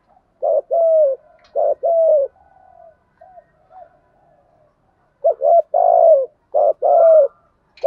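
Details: Spotted dove giving stimulating coos aimed at other doves. Two mellow two-part coo phrases are followed by a pause with a few faint soft notes, then two more low, rounded coos near the end.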